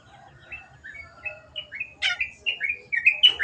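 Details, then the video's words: Long-tailed shrike (cendet) singing actively, used as training audio for kept birds: a varied warbling run of short slurred whistles that grows steadily louder and busier, ending in harsher chattering notes. "MASTERAN BURUNG CENDET GACOR"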